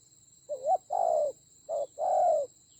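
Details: A spotted dove used as a decoy in a fierce fight, Central Highlands, Vietnam, October 19, 2020: a wobbling opening coo, a long low coo, then a short coo and another long one, with a steady high-pitched tone throughout.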